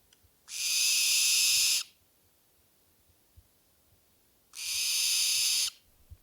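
Two harsh, hissing screams from a Barn Owl, each lasting over a second, separated by about three seconds of near silence.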